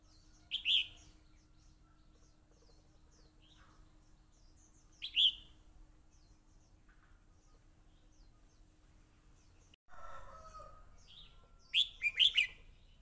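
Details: Fighting red-whiskered bulbul (hello crest) delivering brief bright whistled bursts spaced several seconds apart, the last a quick double flourish of sharp notes; faint softer chirps in between and a low steady hum underneath.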